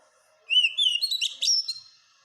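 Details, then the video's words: A single rich phrase from an Oriental magpie-robin, played as masteran to teach caged birds: a rising whistled note, then a quick run of warbled slurs ending in a long, steady high whistle. "Masteran burung kacer supaya cepet gacorr"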